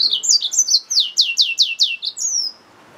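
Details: Mule of the yellow-fronted canary, a hybrid finch, gives a rapid series of high, descending slurred notes, about ten in a row, forming a rolling trill. The song ends with one long, thin whistle, then quiet.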